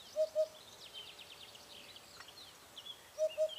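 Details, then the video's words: A Eurasian hoopoe gives soft, hollow paired hoots, 'oop-oop', repeated about three seconds apart, with faint higher chirps of other birds behind. "Sound of Hoopoe"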